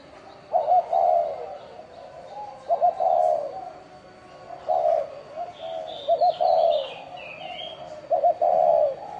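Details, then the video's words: Spotted dove cooing in the 'bronze bell' style to lure wild doves and excite males and females: low hollow coo phrases repeated about every two seconds over a steady hum, with faint higher chirps from another bird midway. "Tiếng chim cu gáy chuông đồng gáy gù gọi bổi kích bổi kích trống mái lên nhanh"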